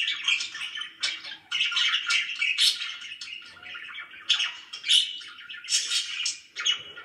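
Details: Happy pet budgies warble a busy stream of raspy chirps, clicks and squeaky notes in irregular rolling bursts, with short pauses between phrases.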